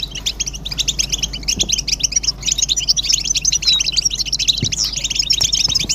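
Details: European goldfinches in a group twittering chorus, offered as mating and readiness calls to stir silent males into song: dense, overlapping high chirps and trills run without pause, with a few faint low knocks underneath.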